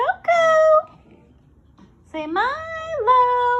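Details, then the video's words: Indian ringneck parrot talking indoors, saying "I'm being a very good boy": high, nasal, voice-like phrases with a sliding pitch, a brief pause between two bursts of speech. "Talking Indian Ringneck parrot says “I’m being a very good boy”"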